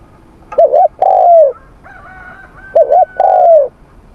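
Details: Spotted dove in morning voice training, two coo phrases each made of a short double-peaked note and a long descending coo, with a thin steady whistle sounding between them.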